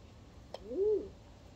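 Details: Two crested pigeons mating on a balcony; one soft arched coo that rises and then falls, preceded by a brief click.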